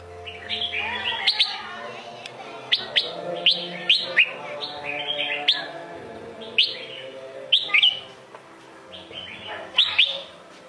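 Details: Red-whiskered bulbul, Sông Kôn type, in prolonged song: repeated bright upslurred whistles and short bubbling note clusters, somewhat softer, spaced every one to two seconds over a low hum.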